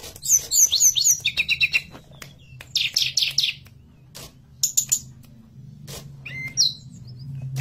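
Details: Forktail singing actively, recorded as a lure and master song for teaching birds to sing: rapid runs of high thin whistled and buzzy notes, slurred up and down, in bursts with short gaps, over a low steady hum.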